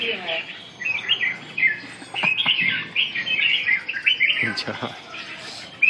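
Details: Red-whiskered bulbul (chào mào) delivering quick, bubbly whistled notes that rise and fall in short phrases, with a few clicks and background chatter.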